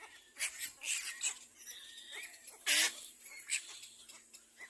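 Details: Little black cormorant chicks competing for food give scratchy, hissing begging bursts in quick succession, with one loud harsh outburst midway.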